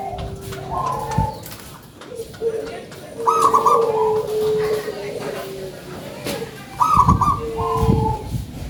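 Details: Actively singing local perkutut, or zebra dove, with a big voice: soft cooing phrases broken by bubbling rolled notes, repeated about three times, with low thumps and faint human voices in the background.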